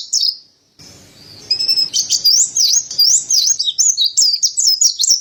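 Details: Mountain white-eye song: a short high note, a pause, then a quick chain of sweet, sliding whistled phrases repeated about twice per second, bright and twittering.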